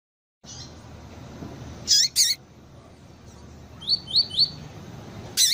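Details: Female double-collared seedeater, used by breeders to excite a caged male, giving sharp high chip notes and a quick run of three descending whistled slurs, with quiet hiss between calls.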